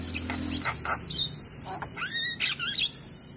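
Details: Javan myna, called jalak kebo, singing a master song for coaxing quiet young mynas into voice: scattered rough notes, then clear curved whistled slurs rising and falling, backed by persistent high insect buzzing.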